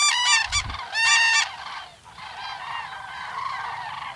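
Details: Common crane at the Yelnya upland marsh, Miory District, Belarus, a migration stopover: two loud bursts of trumpeting, richly harmonic calls in the first second and a half, then a dense, continuous chorus of distant flock calls.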